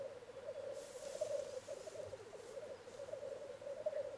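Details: Courting black grouse males at a lek, contesting for females: an unbroken, low, dove-like bubbling rookoo rolls on steadily, with a soft rushing noise mid-way.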